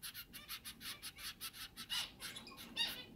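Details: Four zebra finch chicks, the oldest about a week old, being fed by hard-working parents: a rapid stream of thin, raspy, high cheeps, several per second, rising into louder squeaky bursts.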